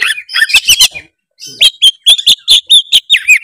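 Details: Oriental magpie-robin singing loudly, used to goad a reluctant bird into song: a chattering burst, a short pause, then a rapid series of clear whistled notes repeated in a lively rhythm.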